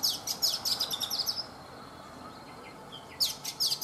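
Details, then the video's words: Oriental magpie-robin, a mature wild-caught bird kept caged for three seasons, singing in the morning: quick bursts of sharp, high chirps and whistled notes, a pause with faint thin whistles, then another rapid chirping burst. "Chòe Than già rừng - 3 mùa lồng hót buổi sáng"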